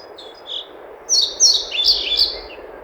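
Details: European pied flycatcher song, a short series of four or five loud high notes slurring downward, preceded by soft faint calls, with low rumbling background noise.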